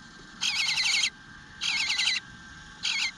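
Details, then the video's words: Eastern bluebird nestling pleading for food in its nest at 9:10 am, 25 June 2022: three loud, drawn-out rasping bursts, each a rapid wobbling series of high buzzy notes, with a brief gap between them. "Eastern Bluebird Nest - Nestling Begging for Food"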